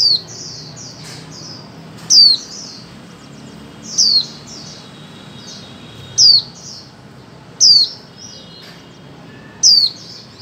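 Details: Female white-eye calling to spur mute birds into song: sharp, high, downward-sliding notes about every two seconds, with softer short chirps between them over a steady faint hiss.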